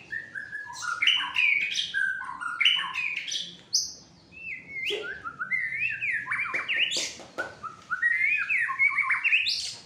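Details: An agitated fighter white-rumped shama delivers a loud, varied song of whistled slurs, sharp chips and rising notes in rapid bursts, with a short pause midway.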